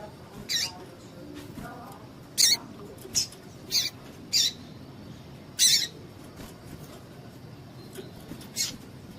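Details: Repeated brief shrill chips of a female double-collared seedeater, roughly one every two seconds at irregular spacing, a call meant to arouse males; soft background noise.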